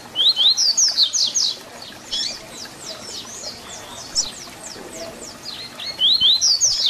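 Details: Fibra song of the Tui Tui Zel Zel type from a double-collared seedeater, used to train young birds. Loud rapid rising and falling whistles open and close the stretch, with fainter slurred notes in between.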